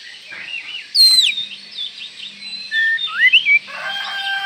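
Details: Oriental magpie-robin call meant to provoke other magpie-robins quickly: a sharp high descending whistle, then wavering warbles and a run of loud upslurred notes near the end, with a faint low hum beneath.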